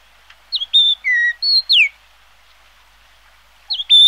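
A Yellow-billed Grosbeak gives a quick run of five clear, fluty whistles, some level and some sliding down. After a short pause it starts a new phrase on a higher note.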